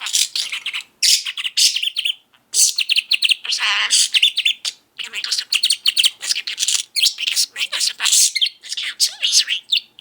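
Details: Male pet budgerigar, well fed after breakfast, singing and talking nonstop indoors: dense bursts of high scratchy chatter and warbles with brief pauses, over a quiet room.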